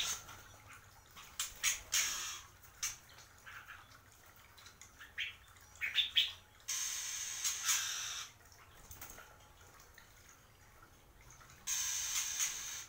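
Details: Captive Oriental magpie-robin, kept as a pet, giving harsh, scratchy squawks in short bursts, interrupted by longer hissing, rustling noise.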